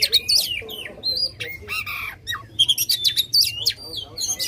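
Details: Oriental magpie-robin in forceful song used to stir contest birds: varied whistles, harsh rasping bursts and rapid clicking trills, delivered in a loud, dense stream.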